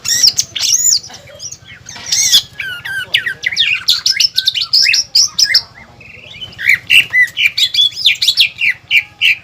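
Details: Cage-kept greater green leafbird in rich, varied song with pelatuk bawang filler, used as a lure and master song for training: a dense jumble of sharp whistles, chips and slurred notes, then quick repeated phrases.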